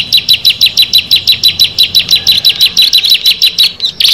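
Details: Six bar-winged prinias together: a steady, rhythmic run of high, buzzy, slurred notes, about four per second, finishing with a louder burst.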